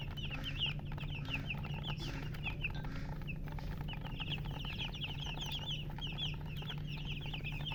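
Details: Baby chickens giving clear, piercing peeps in quick runs with brief lulls, set against a constant low droning background.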